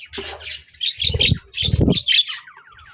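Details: Budgies chirping on 26 January 2024: bright, quick chirps in short bursts, with dull thumps and knocks mixed in and a fading, trilled rattle at the end.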